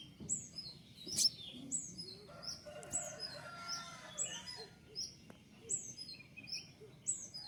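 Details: Thin, sharp, high-pitched down-slurred chirps from a newly caught male Javan white-eye undergoing taming and learning sounds, repeated steadily roughly twice a second, with a brief rattle and scattered clicks in the middle.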